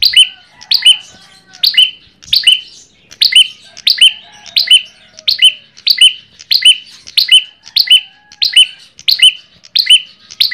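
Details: Lure recording of an Ashy tailorbird delivering a long, fairly steady run of about nineteen loud, clipped chirps, each a quick downward-slurred note with bright overtones, coming roughly twice a second over a clean, quiet background.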